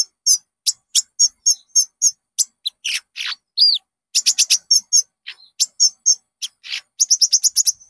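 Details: Konin song meant to prompt caged birds into full song: quick high chips, scratchy buzzes and one looping whistled note, then fast rattling runs of piercing notes.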